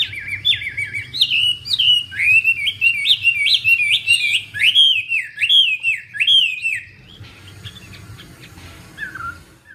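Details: Wambi bird in energetic song: seven seconds of fast, looping whistled notes that rise and fall, some with sharp clicks, then a quieter stretch of softer twittering and one low slurred note at the end.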